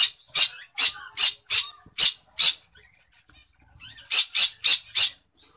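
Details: Cinnamon-colour green-cheeked conure in its breeding cage as the keeper checks it: a string of shrill, grating squawks, evenly spaced, then a short lull and a fresh run of four harsh calls.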